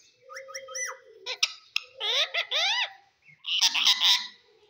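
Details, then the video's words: Talking green parrot produces a run of quick stepped chirps, then clusters of strongly rising, voice-like harmonic syllables, finishing with a loud harsh squawking burst. "parrot talk everything cute talking funny"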